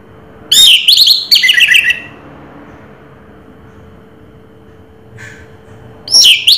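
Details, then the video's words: Anis merah, the orange-headed thrush, raja teler style: three fast, scratchy, chattering phrases in quick succession, then a long quiet pause with one faint note, before another loud burst starts at the end. "Suara Burung Raja Teler Anis Merah"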